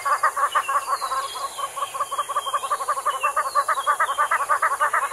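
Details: A Damara red-billed hornbill (Tockus damarensis) of Namibia gives a long, rapid series of hollow clucking notes, about three per second, rising and falling in intensity, with faint thin whistles from other birds behind.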